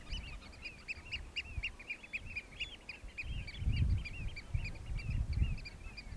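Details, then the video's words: Several Eurasian oystercatchers at Hoorn, Terschelling, in 2015, in a fast piping display, a dense run of shrill, ringing 'kleep' notes several per second, with a low wind rumble beneath. "Baltsende scholeksters"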